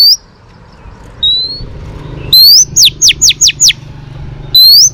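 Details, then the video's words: Female Oriental magpie-robin singing to arouse males, for training: a rising whistle, a softer thin whistle, then a loud upslurred whistle followed by five rapid descending notes and another rising whistle. "chòe than mái HUÝT KÈM THÚC TRỐNG.chòe than mái kích trống căng lửa.chim chích chòe than mái hót"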